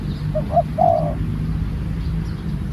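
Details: Spotted dove being trained as a new bird, one cooing phrase: two brief notes leading into a longer warbling coo that slides slightly downward, against constant low rumbling noise.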